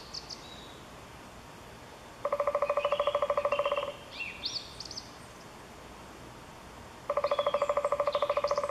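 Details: Eurasian three-toed woodpecker in Chvalčov, Czech Republic, August 2013, producing two fast, strongly resonant pulse series of about one and a half seconds each, separated by a pause with scattered high chirps of other birds.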